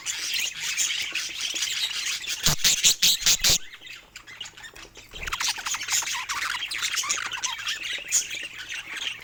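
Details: Pet budgerigars, several birds, playing with toys: dense high warbling chatter and scratchy chirps throughout, broken by a run of sharp tapping clicks near the middle before the busy chatter resumes.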